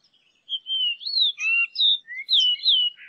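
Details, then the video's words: Variable oriole song: a run of clear, loud whistled phrases, some rising and some falling, with slurred notes that swoop between higher and lower pitches, delivered in quick succession after a brief silence, with no other sounds. "O CANTO DO PÁSSARO ENCONTRO"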